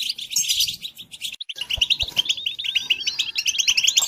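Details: Goldfinch song played to captive goldfinches for training: a twittery burst, a brief pause near one and a half seconds, then a run of clear repeated chirping notes with light taps underneath.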